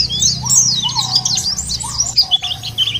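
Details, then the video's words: Fast, squeaky white-eye warbling, intended to spur birds to sing, rolls continuously above lower, sliding whistles and a constant low droning hum. "puter ini jangankan pleci burung lain aja pada gacor"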